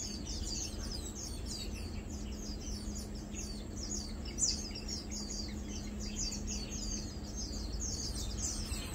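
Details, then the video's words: Lowland white-eyes mainly feeding, 2 August 2022. Soft, high, rapid chips and twitters run throughout, with one brighter note near the middle, set against a low steady hum. "Lowland White-eye | Matang Dulong (Zosterops meyeni) - Mainly Feeding"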